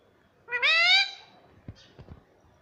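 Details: Pet ring-necked parrot talking, said to say "mummy papa": one drawn-out, rising, nasal syllable of about half a second, then a few soft knocks.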